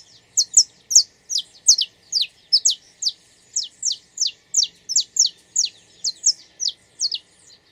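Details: Wild saffron finch (Canário da Terra) song in nature: a fast, steady string of high, sharp, downward-slurred chirps, about two or three each second, some paired, bright and clean over a quiet background.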